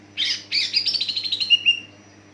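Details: Greater green leafbird song meant to prompt other leafbirds to sing: two harsh bursts leading into a fast rattling chatter that descends and ends in two bright whistled notes, over a low hum.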